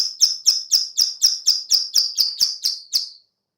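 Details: Clicking call of a female plain prinia, used to lure birds: about a dozen rasping clicks, roughly four a second, slightly slowing before stopping, then quiet.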